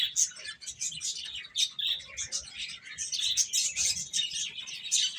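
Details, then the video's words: A group of chicks feeding and playing fills the air with bright, piercing peeps, crowded and overlapping, swelling louder toward the end. "Cute Chicks Eating and Playing | Baby Hen Chirping Sounds"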